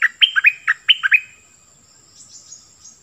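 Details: Cream-vented Bulbul decoy bird singing a quick phrase of bubbly, liquid notes that rise and dip, then stopping, leaving faint high hiss.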